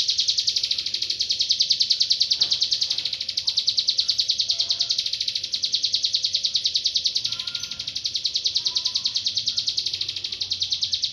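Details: Bar-winged prinia in full persistent song for songbird training: a long, steady, high-pitched pulsing trill with little variation, a few faint lower whistled notes appearing toward the later part.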